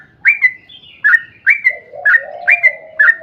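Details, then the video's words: Sooty-headed bulbul rolling song for luring other bulbuls: clear upswept whistles spaced about half a second apart, joined midway by a lower, drawn-out wavering warble. "trucukan gacor ROPEL PANJANG buat pancingan trucukan agar bunyi"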